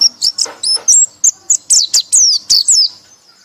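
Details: White-eye singing in the loud ngekek style: a quick run of high, thin whistled notes, some sliding downward, delivered in short bursts about every quarter second with a faint low hum beneath.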